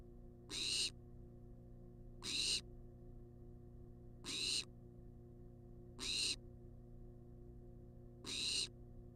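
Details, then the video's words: Food-demanding wild barn owl inside a research nest box, filmed on a live camera: broad, rasping hiss-screeches of under half a second, five in nine seconds at fairly even spacing, with constant low electrical hum beneath. "Barn Owl Demands Food For 14 Minutes Straight"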